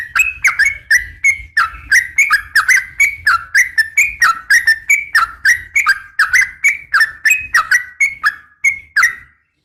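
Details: Sooty-headed bulbul female calling a male; bubbly, warbling whistled notes repeated rapidly, about three a second, with sharp clicks, running for nine seconds before a short silence at the end.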